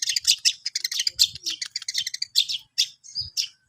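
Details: Long-tailed shrike practising its song: a dense, rapid run of high scratchy chirps and twittering notes, packed tightly with short pauses near the end and faint low thumps underneath.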